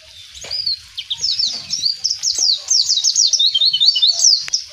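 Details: Mountain white-eye singing in the wild: a fast, continuous run of high, thin twittering notes with quick rising and falling slurs, chattering without pause for several seconds; faint low rustling and a few soft thumps underneath.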